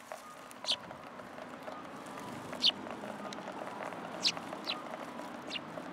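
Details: Eurasian tree sparrows arriving for food on a shrine pillar, December 2022: scattered single high chirps, about five in six seconds, over a quiet background hum.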